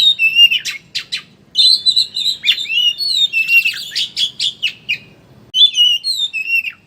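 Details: Oriental magpie-robin chattering song (ngeriwik) used as a lure to get birds singing with open beaks: dense bursts of high, scratchy chatter mixed with short whistled slurs, broken by a couple of brief pauses.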